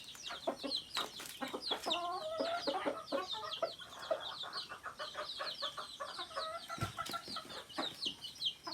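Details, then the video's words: Native chickens, including rooster and hen: many overlapping high, downward peeps in a constant chorus above mid-pitched clucking, with occasional thumps and rustles. "Rooster, Hen and Other Native Chickens"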